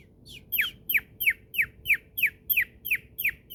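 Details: Male pet cockatiel playing in his cave, giving a steady series of sharp, downward-slurred chirps, about three per second, each bright and clipped, with faint low room hum beneath.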